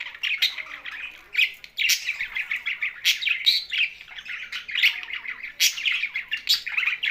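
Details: Budgies housed with a parrot, Larkana, Sindh: a continuous bright twittering chatter of many quick chirps and warbled notes, swelling into louder bursts every second or so.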